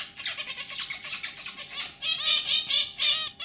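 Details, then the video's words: Zebra finches kept as a pet pair, a lively male with a throaty song and a white female that gives simple chirps: rapid run of short high chirps, then loud nasal buzzy notes repeated in quick bursts. "Hint Bülbülü Sesi,ötüşü |Zebra Finch Sound"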